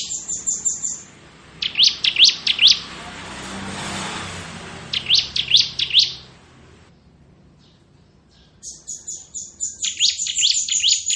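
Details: Crystal ciblek bar-winged prinia singing ngebren: repeated bursts of quick rising chirps, a high thin trill at start and end, and a hissy noise patch between phrases.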